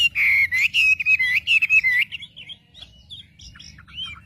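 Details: Wambi singing as a lure to stir up other wambi: about two seconds of loud, wavering whistled notes, then quieter scattered chirps and short sweeps, with a constant low background hum.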